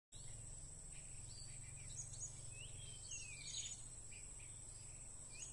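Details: Blue-crowned hanging parrot calling while being lured during bird trapping: short, thin, high chirps and downslurred squeaky notes scattered through the clip, over a steady high insect drone and low rumbling background noise.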